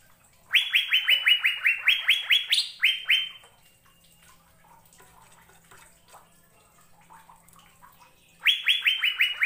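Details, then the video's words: Asian fairy-bluebird singing vigorously: a long string of quick downslurred whistles with a higher note near the end, about four seconds of near silence, then the rapid whistled series starts again. "Burung Sorga Cucak Biru Sedang Bernyanyi Gacor"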